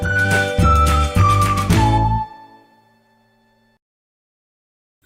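A short musical jingle with descending tonal notes over a bass beat, fading out after about two seconds; no animal is heard.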